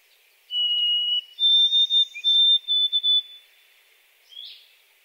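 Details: White-throated sparrow singing a clear whistled song: one long steady note, then a higher note repeated in several short even whistles, with faint background chirps.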